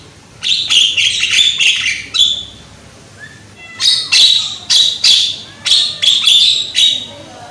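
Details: Loud young Javan myna (jalak kebo) played as a lure to get mynas singing: bursts of harsh, chattering squawks in two runs, with short rising whistles between.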